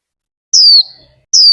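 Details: Caged female warbling white-eye from Vietnam, used to stimulate the male into líu singing, gives one sharp, high, descending whistle, and a second begins at the end. The background is otherwise quiet.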